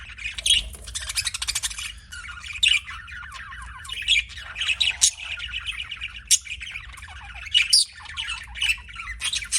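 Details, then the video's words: Budgies chattering as pets, a busy stream of scratchy squawks, ticks and brief rising whistles, in irregular bursts separated by short quieter gaps. "BUDGIE CHIRPING SOUNDS"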